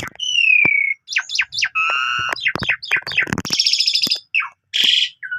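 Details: Full, imitation-laden song of an Asian pied starling in the morning, played to train young canaries: a long falling whistle, then a varied run of sharp chips, steady tones, rattling buzzes and a scratchy burst.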